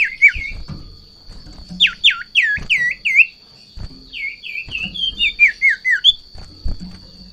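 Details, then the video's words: Breeding-condition Sirtu, agitated by a rival or female, gives bursts of hooked downslurred whistles, then a fast run of short falling notes, over light tapping and a steady high tone. "Sirtu Ngamuk Narung !! Garuda Birahi Over"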